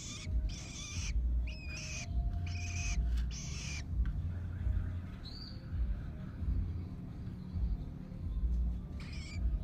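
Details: Young long-tailed shrike being taught to eat on its own gives rasping, hiss-like calls in a rapid series for the first few seconds, then brief scattered calls, against a constant low background hum.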